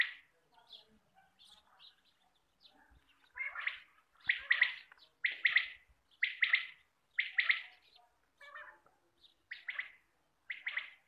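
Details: Quail calls used to lure birds for hunting: harsh, rasping double bursts repeated roughly once a second, rising in loudness after a few softer chirps.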